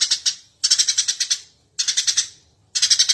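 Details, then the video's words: Eurasian tree sparrow singing loudly and nonstop, a master recording for training cage birds: dense bursts of fast, high chirps about half a second to a second long, separated by short silences. "suara burung gereja gacor"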